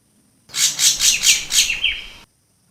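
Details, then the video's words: Long-tailed shrike, 'kembang' form, lure call: a run of six loud, harsh, rasping bursts about a quarter second apart, the last ones ending in short downward-slurred whistled notes; quiet background. "CIU BESAR SUARA PIKAT | CIU KEMBANG GACOR | SUARA PENTET KEMBANG | CENDET KEMBANG GACOR"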